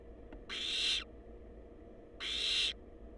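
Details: Wild barn owl young at the nest, on a live cam in a research nest box, produce two long, rough hissing bursts of about half a second each, spaced under two seconds apart, with steady background hum.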